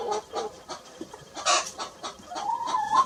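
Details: A little red rooster and a hen grazing on a lawn cluck in short, throaty bursts at an uneven pace, broken by one sharper, louder squawk midway and a drawn-out rising note near the end.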